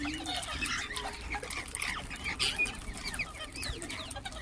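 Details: Ring-necked parakeets calling and chirping: a busy run of short, sharp chirps and squeaky notes, some sliding downward, overlapping one another, with constant background hiss.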